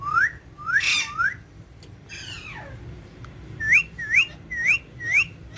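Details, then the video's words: Green ringneck parrot, a pet kept indoors, vocalizing at a mirror: short rising whistled notes in quick runs, a harsh broad squawk and a long descending slurred note in the middle. "Green Ringneck Parrot In Urdu Hindi Talking With Mirror"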